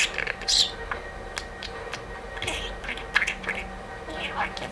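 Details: A sleepy budgerigar secretly murmurs soft, quick bursts of talking chatter, broken by small pauses.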